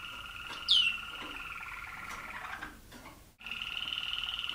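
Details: Waterslager Malinois canary from an aviary, 2010: a continuous bubbling tonal roll with one bright downward-swept whistle early on and a short pause before the roll resumes.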